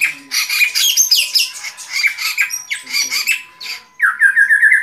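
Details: White-rumped shama pouring out a rich, varied song of clear whistles mixed with harsh, buzzy notes, closing in a fast run of repeated chattering notes; a faint steady hum tone runs underneath throughout.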